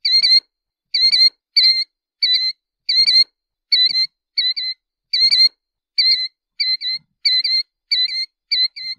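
A Killdeer repeats high, shrill, slightly rising notes, singly and in quick pairs, roughly every half second with short gaps; nothing else is heard.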